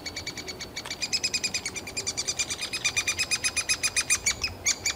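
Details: Three-toed woodpecker chicks begging in a nest cavity while being fed insects, summer; dense, overlapping shrill chirps speeding into a fast rattling series of about five per second, with several chicks calling together.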